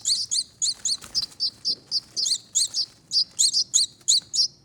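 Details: Hand-fed baby finches, two survivors of a brood of five in a front door wreath nest. Quick, excited high chirps, roughly twenty, some in close pairs, with a brief rustle near the start.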